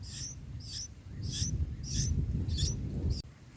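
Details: Bulbul nestlings on their fourth day, being fed in the nest, give short, high, squeaky begging notes about every half second, over a steady low rumble of background noise.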